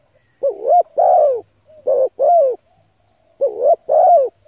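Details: Cooing spotted dove used to lure and excite decoys: three quick two-part phrases, a rippling note followed by a falling coo, the middle one closest to the next, low mellow tone with faint background hum.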